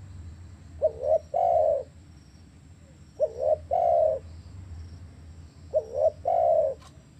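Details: Cooing of a spotted dove, meant to restart calling in captive birds: three phrases of a brief bouncing double note and then a long smooth coo, low hum underneath.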